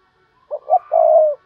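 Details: Decoy spotted dove calling in the 'thúc bổi' style used to lure wild doves: two short clipped hoots, then a long, steady, low coo. Another phrase starts at the end.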